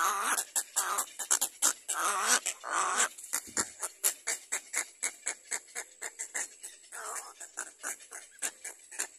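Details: Little egret chicks trying to bite their mother hard give harsh, raspy squawks, then a rapid run of dry clicking notes, about one or two each second.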